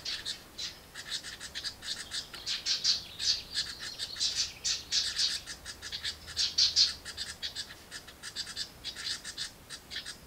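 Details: Baby house wrens in a nest box screaming for more food when the parents arrive: loud, raspy, high squawks in dense pulsing runs, swelling and fading in waves.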